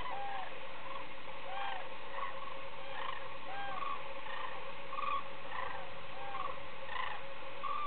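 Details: A flock of common cranes returning at the end of the day at the edge of Lac de Puydarrieux gives loud, rolling trumpeting calls that overlap and repeat every second or two, over a steady low rumble of wind.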